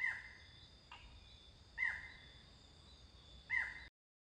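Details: Barred Forest-Falcon (Micrastur ruficollis) in Costa Rica, filmed in January or October 2021, giving sharp, barking, slightly falling yelps about every two seconds, with a fainter note between, over a steady high forest hiss.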